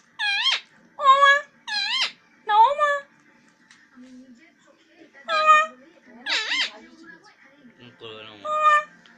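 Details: Parrot talking indoors: short, speech-like phrases with rich, rising and falling tones, grouped in bursts about a second apart with pauses between, and faint background sounds.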